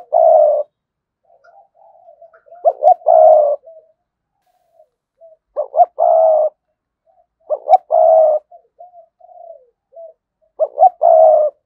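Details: Spotted dove kept as a decoy, cooing in the sa gù and thúc bổi styles: loud phrases of two short clipped notes and a longer steady coo recur every few seconds, with soft murmuring coos between them, no other sounds.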